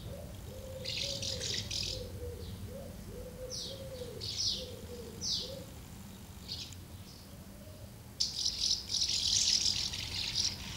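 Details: Common house martins crowding two nests and feeding their young on 24 August 2012, giving scattered sharp, scratchy chirps that swell into a dense chattering burst near the end, alongside soft, steady low cooing.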